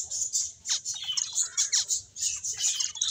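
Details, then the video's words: Playing finches chatter in quick high chirps and squeaky notes, with occasional falling slurred calls and brief pauses between bursts. "Cute Finches Chirping Sounds"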